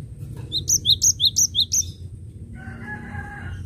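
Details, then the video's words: Cinereous tit singing in a lively burst used to lure birds: eight sharp high notes alternating between two pitches, about three per second, then a lower harmonic tonal sound. Steady low background rumble throughout. "Suara Gelatik Batu Gacor Recomended untuk pancingan"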